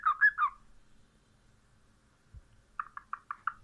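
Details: Cockatiel giving three wavering whistled notes, a long quiet gap with a soft thump, then a quick series of five short chirps.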